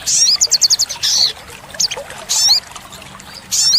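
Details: Song of the olive-backed sunbird (sogok ontong), played to lure and tutor cage birds: a buzzy burst, a fast series of five sharp high notes, then further high buzzy phrases separated by short gaps, with gentle water trickle.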